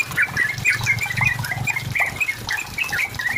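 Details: Trucukan, the yellow-vented bulbul, singing hard to press a rival into answering: short jumbled bubbling notes in quick succession over a steady low hum and some rustling.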